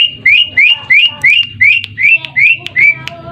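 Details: Asian pied starling song used as a lure to get birds to answer: a regular string of bright upslurred whistles, about three per second, each ending on a short sharp tick, with soft low noise behind.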